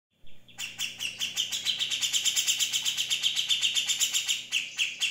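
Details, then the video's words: Grey-cheeked Bulbul singing, used as a tutor recording for other birds: a fast, harsh chattering run of clipped notes, about four per second, steady and unbroken for nearly five seconds. "Cucak jenggot"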